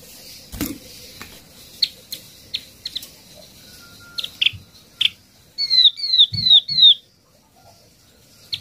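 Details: Yellow-eyed babbler lure call used to summon a flock: scattered sharp, high chips, then a quick run of four clear down-slurred notes, with a soft thin whistle in between.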